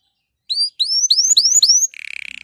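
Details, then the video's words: Singing canary, meant to prompt caged canaries to sing. Five clear upward-sweeping whistled notes in quick succession, followed by a low, fast rattling roll. "canari chant ساعة لتحفيز الكنار على الغناء"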